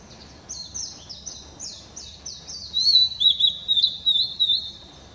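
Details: Blue-and-white flycatcher song on 7 May 2016: a series of high, sliding whistled notes falling in pitch, followed by a louder, rolling warble of quick, twisting notes, with faint very high chirps above.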